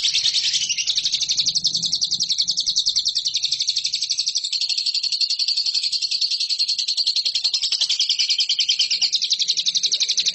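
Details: Lovebird kept for song competitions delivering a long, unbroken trill of fast, scratchy high notes, very even in pace from start to finish.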